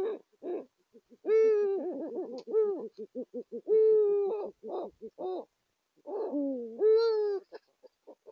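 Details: Male and female Eurasian eagle-owls courting at their nest site in Saxony, Germany, in January 2022: low drawn-out tonal wails alternate with rapid pulsed stuttering notes, the pair overlapping in a close duet, with no other sounds.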